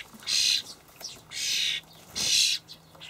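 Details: Young Sturnus vulgaris calling to be fed by their parents in a Hamburg allotment on 28 May 2012; three loud, wheezy, grating screeches of about half a second each, evenly spaced.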